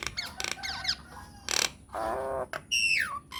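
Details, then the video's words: A myna's lure song, meant to get other mynas to answer: a rapid medley of harsh squawks, rasping bursts and clear whistles, ending with a loud downward-sliding whistle. No other sounds are heard. "PANCINGAN / MASTERAN SAKTI UNTUK SEMUA JENIS JALAK, JALAK APA SAJA AKAN NYAUT | MYNAH BIRD"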